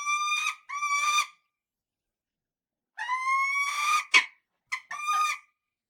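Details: Falcon repeating clear, whining, harmonic calls that rise slightly in pitch. Short single notes and paired notes are broken by a sharp click and brief chips.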